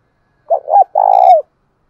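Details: Lure spotted dove in 'thổ đồng' style: two short coos running into a long, rolling, slightly falling coo, loud and close, with a brief faint higher tone during the long note.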